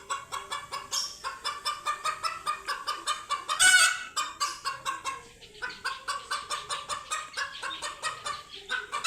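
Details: Frightened chickens meeting cats for the first time cluck rapidly, about three harsh notes per second, with one loud piercing scream near the middle.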